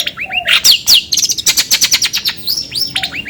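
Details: Long-tailed shrike producing a varied mix of short whistled upslurs, sharp downward sweeps and a rapid rattling series of clicks, busy and continuous.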